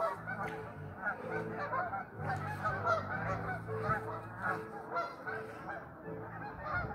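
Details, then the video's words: A group of restless geese calling nonstop: many rough, nasal honks overlap into a thick, unbroken din, while a constant low droning hum sits underneath throughout. "Restless geese!"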